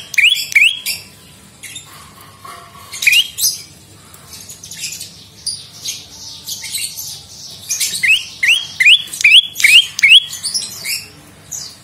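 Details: Prinia (prenjak lumut) used as a lure and tutor recording, delivering rapid clusters of sharp, rising, high-pitched flicked notes and squeaky chatter in repeated bursts, louder toward the end.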